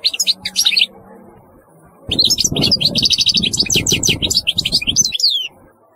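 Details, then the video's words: European goldfinch singing a short twitter, then a longer rapid run of high tinkling and buzzy notes accompanied by a low rumbling noise underneath. "تغريد رهيب للحسون"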